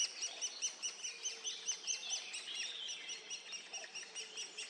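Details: Great spotted woodpeckers feeding their young, Hannover region, June 2022: a dense, steady chatter of high, sharp, overlapping chirps, with louder notes pulsing about twice a second.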